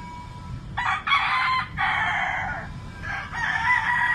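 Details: Roosters crowing, a sound more often heard in the morning: loud, rough, stuttering crows break into several bursts, overlapping with a further crow at the end.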